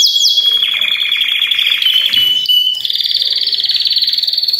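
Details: Belgian canaries, several singing together in a chorus meant to spur other canaries to sing, especially young birds or adults after the moult. Fast, high, even trills run over one long steady whistled note, then give way to a brighter, buzzier rolling trill.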